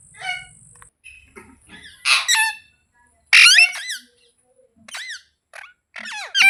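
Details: Green parrot, mitthu, making loud separate squawks and shrill chirps with rising and falling notes, spaced by short silences, and soft squeaks between.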